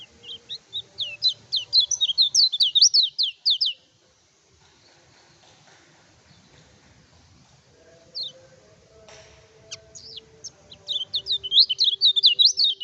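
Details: Kecial kuning singing energetically, used as a provoking lure to stir rival birds in training: rapid series of high, sharp, slurred whistled notes repeated about twice a second, with a quiet pause mid-clip before the fast notes resume.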